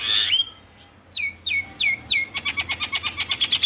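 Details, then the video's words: Javan myna song played to stir a lazy, stressed myna to sing: a loud harsh note, a few downslurred whistles, then a fast run of repeated scratchy clicks. "Pancingan Burung Jalak Malas Bunyi | jalak Stres / Jalak Pikatan"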